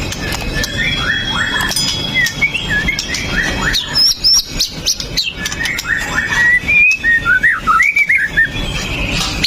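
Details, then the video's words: White-rumped shama, a male singing to provoke other males, recorded on a phone: varied whistled phrases around middle-high pitch, rapid slurred notes and chirps with short pauses, over steady background hiss. "MURAI BATU PASTOL JAHAT BIKIN MURAI LAIN TIDAK BISA DIAM!"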